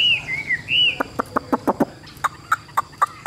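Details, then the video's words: Yellow-billed Chinese hwamei in a cage, for sale: a few mellow wavering whistles, then a steady run of loud ticking clicks, some carrying a short whistled tone. "HM 1534 - CHẤT GIỌNG CỰC PHÊ"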